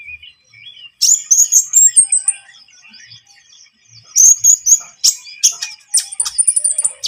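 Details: Lively Javan munia singing, played as a trapping lure: high, thin whistled notes and squeaky twitters in two bursts separated by a quieter pause, with thin chips in between.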